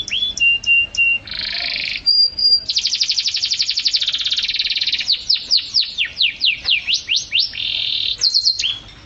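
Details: Vigorous canary song for tutoring pet songbirds: short level whistles and a buzzy chatter give way to a long dense rattling trill, then repeated swooping up-and-down whistled notes and another buzzy burst.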